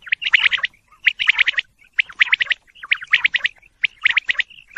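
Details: Quail calls in rapid bursts of four to six sharp high notes, the bursts coming about once a second with short quiet gaps between.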